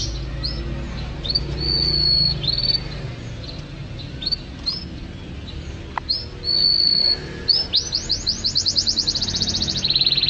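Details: Canary in full song for training pet songbirds: a series of high clipped whistles and drawn-out level notes, ending in a fast rolling trill of rapidly repeated rising notes.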